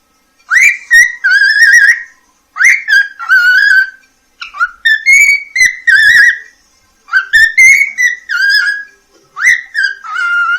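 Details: Pet cockatiel from Poland, a talking-bird championship competitor, whistling a melody it sings to its beloved: phrases of clear whistled notes, each opening with a sharp upward slur and then holding or wavering, in bursts about every two seconds.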